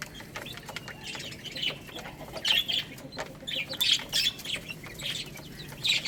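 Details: Little chicks eating rice: softer high cheeps scattered through, a few stronger peeps toward the end, with steady clicking of beaks pecking grain.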